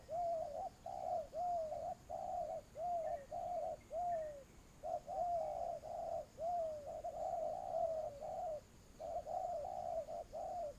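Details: Spotted dove serving as a trapping lure, calling almost without pause in rhythmic low coos, each long note sliding downward, about fifty per minute, with a faint distant chirp in the background.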